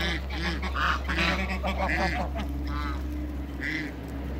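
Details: Domestic geese, African and Toulouse breeds, calling during a meeting with another animal at a farm. Scattered short nasal honks and cackles come a few per second over a steady low hum.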